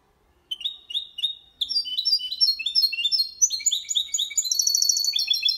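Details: Goldfinch × canary hybrid singing a clean Malaga-style song without errors, used to stimulate males and help chicks memorise song: after a brief silence, high slurred notes repeated in quick series, climbing into faster trills.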